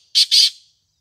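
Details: Black francolin giving two loud, harsh, grating notes in quick succession, the second longer, then silence; no other sounds.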